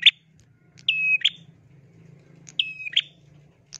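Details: Bar-winged prinia giving two calls, each a steady piercing whistle framed by sharp clipped notes, about a second and a half apart, over a low continuous hum.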